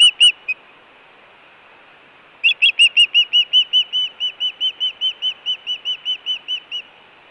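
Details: Osprey at the Hellgate nest, Montana, June 2017, calling for food or in alert. A few sharp notes, a pause, then a long run of whistled chirps that starts quickly and slows slightly toward the end.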